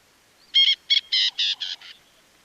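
A francolin gives a short series of harsh, cackling notes in quick succession.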